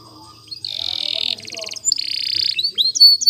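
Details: Canary training song: a buzzy, sustained trill held for about 0.7 seconds, a short harder rattle, then a second long buzzing roll and a few rising whistled notes at the end. Faint low background hum.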